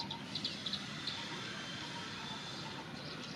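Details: Perched on a tree branch in a forest, a plain prinia gives a few quick, high chirping notes, bunched in the first second, then one more, over a steady low rumble and hiss; Plain Prinia.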